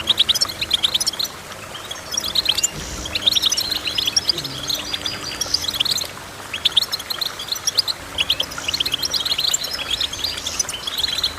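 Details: Goldfinch delivering long runs of rapid, tinkling chirps and trills, with short pauses near three, six and eight seconds between bursts, over steady low background noise.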